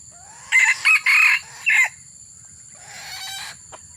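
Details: Crow of a red junglefowl recorded while luring wild birds: four loud, choppy harmonic bursts in quick succession within about a second and a half, then a softer, buzzy phrase after a short pause, over a constant high hiss.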